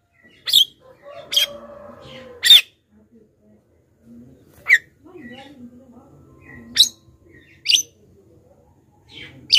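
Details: Black-winged myna lure calls meant to draw wild birds closer: sharp, scratchy bursts at irregular intervals, with faint lower murmuring sounds between them.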